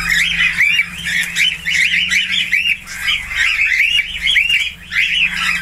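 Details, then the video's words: Budgerigar giving a continuous, fast chattering warble of looping, rising and falling chirps, steady and unbroken, with a low hum underneath. "SIULAN ISTIMEWA FALK/PARKIT AUSTRALIA"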